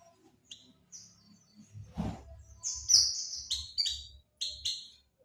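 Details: White-eye lure call used to attract birds: short, very high thin chirps and slurred whistles in quick clusters, some paired, with a brief burst of broadband rustling noise early on.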